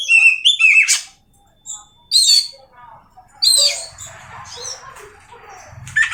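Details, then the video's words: Oriental magpie-robin singing short bursts of bright whistles and rapid high trills, separated by brief silent pauses, with faint low rumbling in the background. "awas Kacer nya jebol emosi dengar suara Kacer ini"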